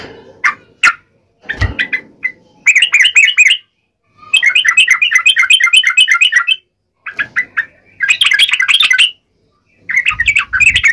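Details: Vigorous fighting song of a yellow-vented bulbul, uplik ropel style, to prompt other birds to reply: stop-start bursts of fast, liquid, rising and falling chirps separated by short silences, with occasional thuds.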